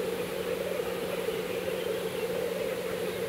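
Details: Black grouse at the lek in April 2024, a steady low bubbling chorus rolling on without pause, distant and even, with no sharper calls standing out.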